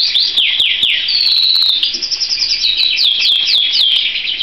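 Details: Canary giving a few falling notes and a sustained high whistle, then a bubbly run of quick notes and a chain of repeated down-slurred whistles.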